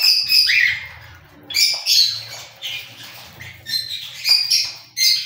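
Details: Cockatiels giving harsh, scratchy squawks in short bursts, about eight calls spread over five seconds, some paired closely together, over a steady low background hum.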